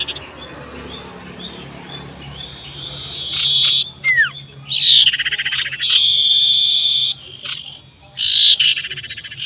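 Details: Common iora singing loudly and seeking a rival, 27 December 2022: soft whistles and a falling slur lead into long harsh, buzzy rasping phrases with sustained high trills.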